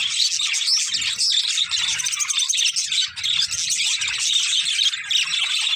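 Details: Two budgies keep up a steady warbling chatter of fast, squeaky twitters and short chirps, barely dipping in loudness across the whole stretch.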